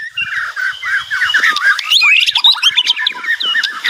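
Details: Loud White-rumped shama song with chattering, scratchy notes and warbled whistles in a dense, varied stream.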